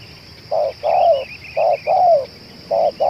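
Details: Spotted dove of the 'celir racik' type, a bird that keeps cooing for two hours and suits luring wild doves. It gives paired phrases of a short coo and a longer falling coo, with a steady high hum and faint chirping behind.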